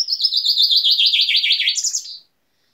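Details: Common chaffinch song: a bright, fast run of repeated chirping notes that slides gradually downward over about two seconds, then ends in a short, higher rising flourish. The background is clean and quiet.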